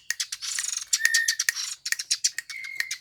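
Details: Much-sought Eurasian tree sparrow chirping fast and high, with two long even whistles woven between the clipped notes.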